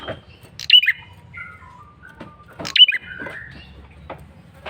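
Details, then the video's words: Male bar-winged prinia, recorded as a lure call, repeating a bright, sharp chirped phrase twice about two seconds apart, each trailing into softer whistled notes that fall in pitch. "Suara PIKAT prenjak kepala merah jantan GACOR NGOTOT"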